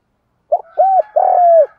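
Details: Spotted dove cooing in the 'giọng đồng' voice style, used as a decoy to stir wild-caught doves into calling: a short low note, a brief arched coo, then a long drawn, slightly falling croo, in a quiet setting.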